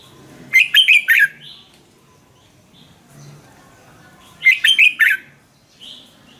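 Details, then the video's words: Caged Red-whiskered bulbul in Thailand, sung to excite or train fellow cage birds: two bubbly, warbled phrases roughly four seconds apart, each followed by a brief softer note. "เสียงนกกรงหัวจุก สำหรับต่อ หรือ เปิดให้นกคึก เสียงเพราะๆ"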